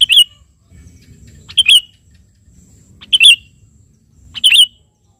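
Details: Sooty-headed bulbul in lively song aimed at a rival, repeating a short, loud, bubbly twisting phrase four times at about one-and-a-half-second intervals, with quiet low murmur behind.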